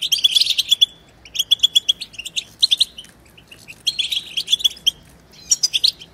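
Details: Goldfinch twittering meant to rouse silent goldfinches into song: short clusters of sharp, high, liquid chirps and quick trills separated by brief quiet gaps, each burst a rapid run of tinkling notes.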